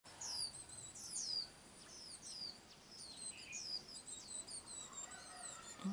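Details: Swinhoe's white-eye nestlings, with both parents working hard to feed them, one chick showing white tail feathers: thin, high chirps repeated throughout, faint over steady background hiss, with a man talking nearby.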